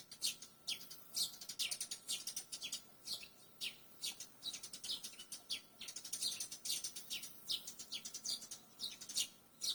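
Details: Barn swallow calling: quick, high, sharp chirps and twitters in irregular bursts, more than two per second, with no other clear sounds.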